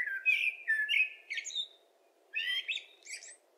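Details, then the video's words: Common blackbird song with two phrases: warm, warbling whistles that step upward and end in thin squeaky flourishes, split by a brief silence, over a faint low hum. "Zozoa (Turdus merula), kantua"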